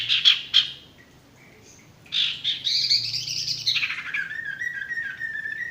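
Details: Male sirtu song for coaxing stressed or silent birds to sing: two quick sharp notes, then a lively rising and falling warble that ends in a long steady whistled tone.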